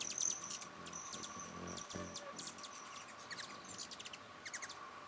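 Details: Wild hummingbirds in New Mexico at mealtime, heard though unseen: rapid high chirps and short squeaky twitters in quick bursts, with a steady background hum throughout.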